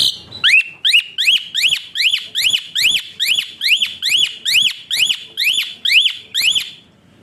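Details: Whistling Asian pied starling, a recording meant to train birds and spur quiet ones to sing: a sharp swooping whistle repeated about twice a second, fourteen or so times, over a steady high whistled tone.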